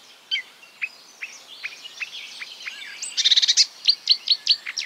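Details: Marsh warbler imitating other birds: soft scattered slurred notes, then a loud quick rattle followed by a series of sharp downslurred high notes repeated about every quarter second.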